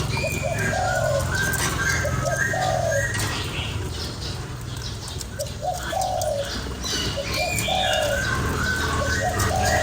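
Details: Cooing spotted dove used to excite a lure bird: low three-part phrases, short note, long rough coo, short note, repeated over steady background hum and scattered thin chirps from other birds.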